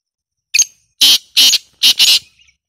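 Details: Loud black francolin call, said to be given in winter and summer: a short sharp opening note, then three or four harsh, grating notes in a quick rhythmic phrase over a silent background.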